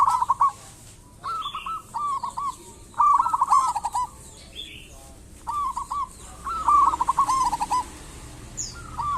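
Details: Local zebra dove singing to draw other doves into song: repeated bursts of quick, beaded cooing notes, loud and soft phrases alternating as if from more than one bird, with a brief higher chirp near the end.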